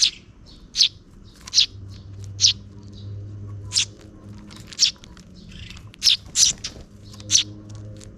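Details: Near dusk, a parent sparrow feeds its two chicks. Their bright, high, insistent chirps come in uneven bursts, sometimes doubled, with softer chirping between and a low background rumble.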